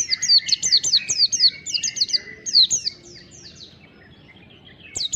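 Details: Long, rapid series of thin, high down-sweeping whistles from a mountain white-eye singing ngalas style, chattered continuously for nearly three seconds before falling quiet, with one last note at the end.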